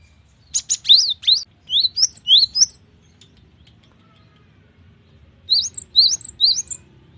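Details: Cinereous tit (gelatik batu) singing actively with full variation: quick bursts of sharp, upward-slurred high chirps in two-note phrases, one group early, another after a silent pause, against quiet background.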